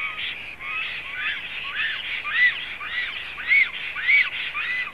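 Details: Black stork at the nest in Zemgale, Latvia, spring 2016, giving a continuous rough series of arched nasal notes, some with low rising starts, about two per second over a faint background hiss.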